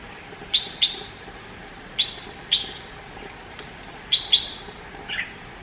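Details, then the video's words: Red-whiskered bulbul in India: paired and single sharp, high chirps with brief ringing tails, followed by one lower, softer note near the end, over faint hiss. "red whiskered bulbul singing 🎶 indian bulbul bird sound"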